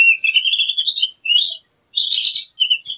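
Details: A Javan grey-throated white-eye sings for luring or training birds, with a rising run of high twittering notes, a short burst, a pause, then more quick warbled phrases.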